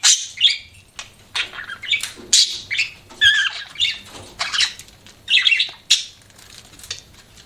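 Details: Budgies giving sharp, scratchy chirps and squawks in short bursts roughly every half second, with a faint low hum underneath.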